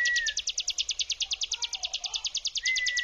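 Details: Ngebrem trill of a ciblek gunung prinia, a lure sound: a dense string of sharp, high, evenly spaced pulses forming a rattling buzz, with a soft lower whistle line near the end.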